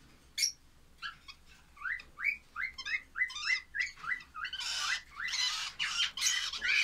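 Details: Baby lovebirds give short chirped notes that rise and sweep upward, repeated in a quick, uneven series, then break into harsher, rasping bursts toward the end.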